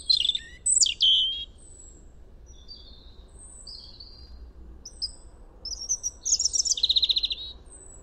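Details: Wild European robin in spring song, recorded in France, sings high, thin, tinkling phrases that are varied and scratchy, separated by short pauses, over a faint low rumble.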